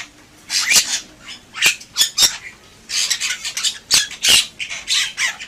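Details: Gacor-style song of the Bali myna (Leucopsar rothschildi): rapid series of scratchy squawks and clicks in two bursts, with brief pauses between, harsh and high.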